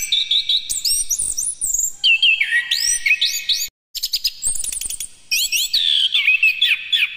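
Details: Orange-headed thrush song, used to provoke other birds to sing: a rich, fast medley of rising whistled slurs, sweeping high notes and rapid chattering trills. A brief silent break falls just past the midpoint, and no other sounds are heard.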